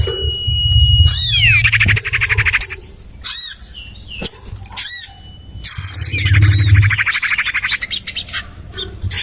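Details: Common iora lure call: long level whistle sliding into fast scratchy chatter, then short squeaky bursts and a second whistle-and-chatter round, over a low steady rumble.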